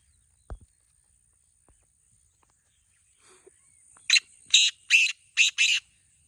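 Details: Kala teetar, the black francolin, calling for a kept bird that will not call: near silence with faint clicks, then five loud grating, buzzy notes in a quick stuttering burst near the end.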